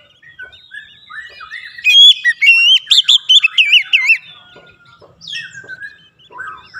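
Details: Oriental magpie-robin singing varied fill-in material for song therapy: soft scattered notes lead into a loud two-second burst of rapid wavering whistles and zigzag chirps, then fading quieter phrases.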